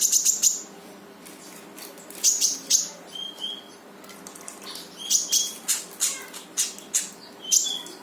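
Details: Energetic brown-throated sunbird song, played to make a silent sunbird start singing: fast runs of very high ticking notes, sharp chips and short level whistles in busy, irregular bursts, with low background noise.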